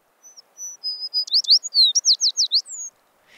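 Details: American Tree Sparrow, a winter visitor to Illinois that nests beyond the tree line, sings its sweet, variable song: a few clear opening whistles, then a quick run of bright slurred notes swinging up and down, over quiet background.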